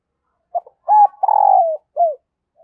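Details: Decoy spotted dove cooing to attract wild doves: a small soft opening note, a level hoot, a long drawn-out coo, then a clear falling final note.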